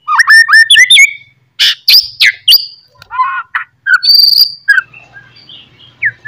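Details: White-rumped shama morning song, loud and continuous, used as a lure to rouse other shamas to sing and fight: quick rising whistled notes, then harsh buzzy bursts, a high sustained whistle and scattered chirps.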